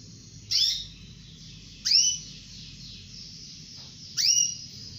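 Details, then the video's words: Female domestic canary calling the male: three loud, high whistled calls about two seconds apart, each sliding sharply down then holding a steady tone, over a quiet low background hum. "SUARA BURUNG KENARI BETINA MEMANGGIL JANTAN"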